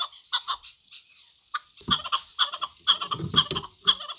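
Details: Chukar partridge giving uneven clucking notes, sparse at first, then a quicker burst of harsh chuk calls over low background rumbling.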